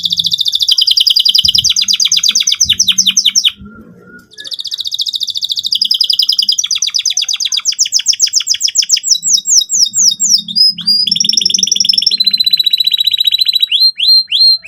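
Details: Lively canary song in the cuit cuit style, played to encourage young canaries learning to sing: long rolling rapid trills that shift speed and pitch, broken by a brief pause, ending in quick slurred notes.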